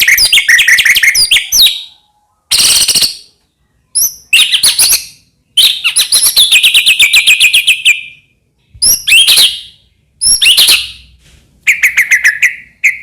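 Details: Medan white-rumped shama singing constantly, full of varied fill-in phrases, played to stir other shamas to sing. Rich warbled whistles alternate with harsh bursts and a long rapid chattering run, separated by brief pauses.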